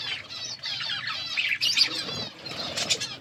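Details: Budgerigars in an outdoor aviary warbling, wavering high chirps and rising-falling trills from several birds, with a brief flutter of wings.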